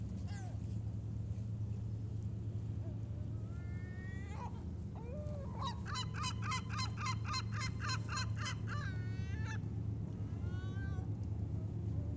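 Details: Gulls calling in Sorrento, Italy. Scattered short yelping notes lead into a fast, even run of about a dozen loud, harsh laughing calls. More upslurred yelps follow over a constant low engine-like hum.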